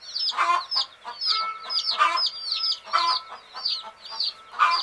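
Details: Hen chicks resting in sleep chirp nonstop: thin, bright peeps from many birds, pulsing into louder rough clusters about once a second, with a faint steady tone underneath.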